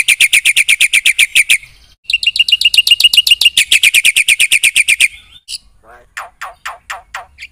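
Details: Black-winged myna in energetic gacor full isian song: fast, evenly repeated harsh chattering notes in two long bursts, followed by a few separate rising and falling whistled notes.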